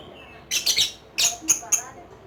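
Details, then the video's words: Lovebird singing in the ngekek style: a few sharp, shrill, rasping bursts packed into about one and a half seconds, with a faint fragment of human voice just before. "LOVE BIRD || ngekek 8 kilo meter"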